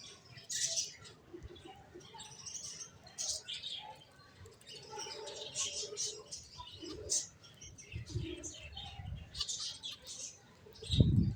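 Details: Finches chirping: overlapping high, short tweets and chips throughout, with low thumps and rustling underneath and a loud low bump at the very end.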